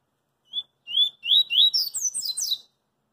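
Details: Coringa song of a double-collared seedeater in the street: a short whistled note, then three longer upward-slurred whistles, followed by a fast jumble of high, sweeping chirps lasting about a second before stopping.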